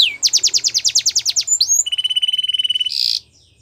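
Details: Belgian canary performing a training song, quick rhythmic chirps about eight per second, a brief upward whistle, then a fast steady rolling trill and a short harsh buzz before silence.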